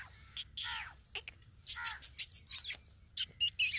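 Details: An Irani (Dakhni) teetar partridge gives a fast run of harsh, high, scratchy notes, about five or six per second, after a few softer stacked chirps, over a faint low hum.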